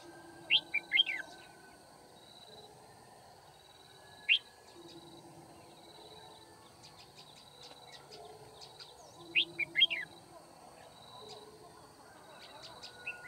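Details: A red-whiskered bulbul sings while used as a trapping decoy at Kim Bôi, 9 February 2019. Scattered sharp warbled phrases come at irregular intervals, with fainter high chirps in between. A constant insect-like whine and rural background noise are also heard.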